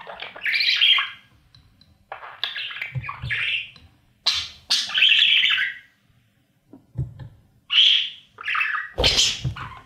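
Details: Nestling budgerigars in a nest box, eating as parents feed them; scratchy squawks and chirps in separated bursts with short silent gaps, a loud sharp burst near the end, and faint thumps of movement.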